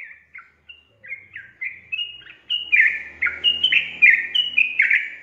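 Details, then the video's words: Sooty-headed bulbul, its song played to coax lazy birds into singing: sparse whistled notes at first, then a dense, rollicking string of bubbly slurred phrases, with a faint low rumble in the background. "PANCING TRUCUKAN MALAS BUNYI JADI GACOR"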